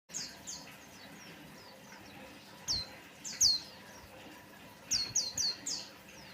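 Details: White-eye song used as a lure to make other birds sing: sharp high whistled notes sliding downward, given singly then in a quick run of four near the end, over faint steady background hiss.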